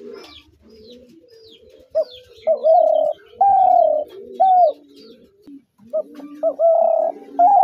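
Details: Spotted dove giving a repeated phrase of loud, level, hollow coos, some short and some long, in two bursts separated by a pause, over a softer, lower cooing in the background.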